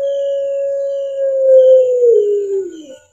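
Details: Single long coo from a captive puter pelung, the black-collared Barbary dove kept in Indonesia, mastered recording: a low, smooth, sustained note held about two seconds, then sliding downward and fading out.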